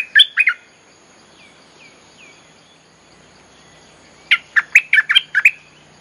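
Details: Bulbul song played to call wild birds: a short burst of sharp chattering notes, soft downward-slurred whistles in a pause, then a lively run of six or seven loud, crisp, bubbling notes.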